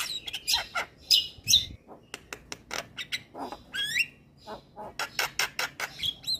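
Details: Male white-eyed Javan myna song for prompting silent mynas to sing: sharp clicks and harsh notes, a downslurred whistle near the middle, then a steady series of short chattering notes about twice a second.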